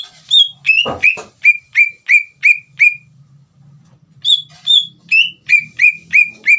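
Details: Greater green leafbird in full song, played as a lure to provoke another leafbird into answering: loud whistled notes dropping sharply in pitch, repeated about three per second, a short pause, then the run resumes.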